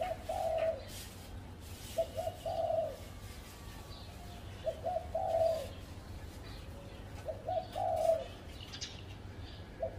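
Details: Perched at a home, a spotted dove repeats its low, husky coo phrase four times at steady intervals of about two seconds. Each phrase is a quick double note followed by a longer drawn coo. Light chirps from other birds behind.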